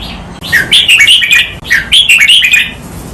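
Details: Training recording of red-whiskered bulbul doubled-phrase song in 'lak wai' style: a rich, bubbly phrase of quick descending notes sung twice in succession, clear and loud.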